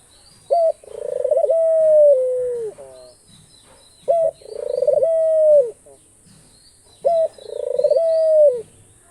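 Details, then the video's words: Pet Australian dove calling three times, about three seconds apart, each a short note then a throbbing swell into a long level coo that slides down at the close, with soft trailing notes. "ঘুঘু পাখির ডাক। অস্ট্রেলিয়ান ঘুঘু পাখির ডাক।The call of the dove.Australian dove bird call."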